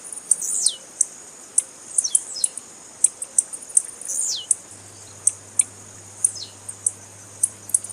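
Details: A female blue-black grassquit calls insistently, a sound meant to rouse males for tournament competition. High, clipped ticks come in a loose rhythm, and four or five falling whistled slurs drop in pitch.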